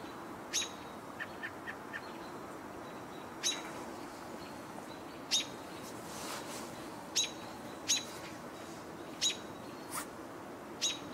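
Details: An American Robin gives sharp, high, clipped call notes, single or paired, at irregular intervals of one to two seconds over steady outdoor hiss; evening of 21 June 2018, near Rice Hall, possibly calling because of a hawk seen in a tree.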